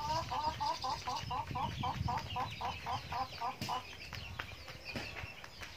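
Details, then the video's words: Chickens busy eating feed, one bird repeating short, even clucking notes about four times a second for several seconds, then trailing off amid pecking sounds. "chickens are eating feed"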